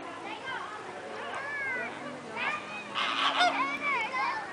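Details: Flamingos at a zoo calling to each other: overlapping nasal, honking notes with bending pitch, plus a brief splashy burst partway through.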